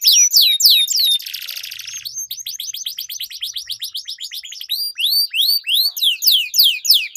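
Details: Competition-lure canary duel: a few loud falling whistles give way to a brief buzzy roll, then a long run of quick, evenly spaced upswept notes growing louder, with occasional high sweeping whistles above.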